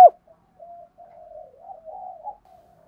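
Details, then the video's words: Spotted dove cooing, a recording played daily to stir other doves into calling; after a sharp click, soft low coos run into a long wavering murmur that lifts slightly near the end, in a quiet setting. "Tiếng chim cu gáy kích bổi hàng ngày"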